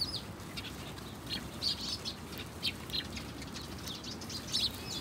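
House sparrow giving short, high chirps at irregular intervals, about five in five seconds, over a steady hiss of background noise.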